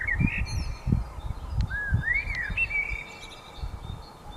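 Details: Birds singing at dawn: a few clear whistled notes, some rising and falling in smooth arcs, others short and chirpy, over a steady low rumble with soft thumping.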